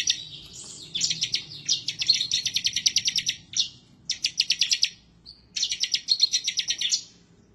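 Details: Bar-winged prinia of the 'semi' type singing intensely and excitedly while seeking a rival. It is offered as master song to prompt other birds to sing. Four bursts of rapid, high, dry repeated notes are separated by brief pauses, over a faint low background hum.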